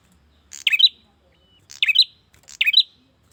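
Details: Calling male bar-winged prinia aimed at a female: three quick rasping chirps, each a brief scratchy lead-in followed by a louder buzzy note.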